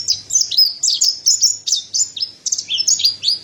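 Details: Mountain white-eye, white-breasted form, captive: quick high slurred whistles, roughly four notes a second, bright and tumbling, over a faint low hum.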